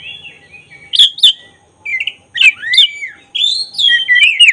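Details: Oriental magpie-robin of the black-breasted form singing actively. Its song serves as a provoking lure to make birds agitated and open their tails. Phrases of varied whistles, sharp upslurs and buzzy twitters, separated by short pauses.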